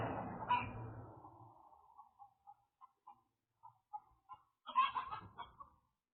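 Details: Chickens at night, around 11 p.m. on 3 March 2023 in Independence, Missouri, give a loud, broad squawk, then short clucks about once every half second, ending in a harsher burst of squawking.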